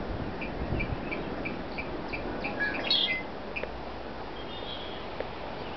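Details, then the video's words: Marsh along the path from Floris Lake, Oregon, toward the Pacific holds a possible blackbird: a run of brief repeated chip notes, then a sharp burst of high squeaky notes midway, over constant background noise. "Black Bird Sounds"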